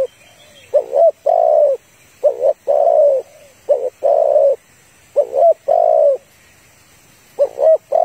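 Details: Spotted dove coos in repeated phrases: a short double note followed by a longer, mellow, low coo, about every two seconds, with faint hiss behind; described as a female calling to males, used as a lure for trapping.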